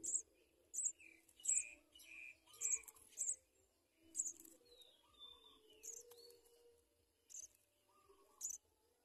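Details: Nestling house sparrows crying for food, rapid high squeaky chirps in a quick run of about six, then spaced single chirps, with a thin descending whistle and lower chattering notes beneath.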